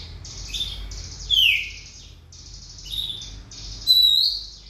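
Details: Oriental magpie-robin in song: strong descending whistles at intervals, with fast, buzzy, chattering notes filling the gaps. Low hum underneath.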